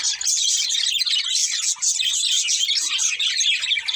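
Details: Budgerigars chirping: an unbroken, busy stream of shrill twittering notes and scratchy squeaks from more than one bird, steady in loudness throughout.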